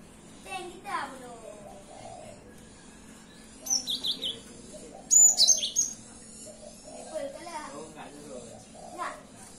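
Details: Cinereous tit singing in the morning: varied bright chirps and high whistled notes in short bursts, some sliding downward, with scattered quieter twitters between phrases.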